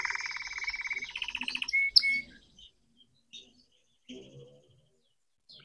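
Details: Red canary learning to sing: a fast buzzy trill and a sharp whistled note in the first two seconds, then only faint scattered sounds and near silence.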